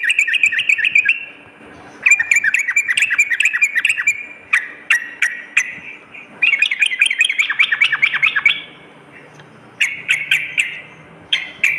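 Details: Sooty-headed bulbul lure song, for morning and night: several bursts of rapid bubbling chirps separated by short silences, some phrases denser and rising, with brief isolated sharp clicks between them.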